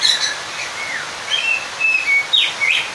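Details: Oriental magpie-robin song to summon a rival. A few sparse phrases: a downslurred whistle, level piping notes, then quick bright twittering bursts toward the end.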